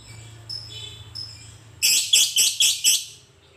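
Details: Lovebird in a masteran meant to get other lovebirds singing: soft thin squeaks at first, then five loud, raspy, high chirps spaced about a quarter second apart.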